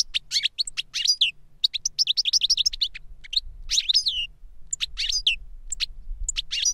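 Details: Older goldfinch singing so a younger goldfinch can learn; lively rapid twittering phrases with tinkling chirps and short pauses, quiet background.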